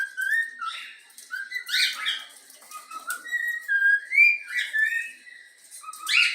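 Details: Young pet cockatiel, yellow-cheek mutation, renders the Flamengo anthem as quick whistled phrases with rising slurs and scattered rasping chirps, the tune flowing almost without pause.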